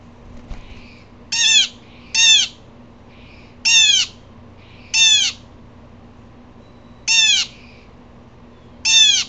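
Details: Upset, agitated Blue jay giving harsh, nasal jeer calls, single or paired, about every one to two seconds, each a loud rasping note with many overtones, over a low steady hum.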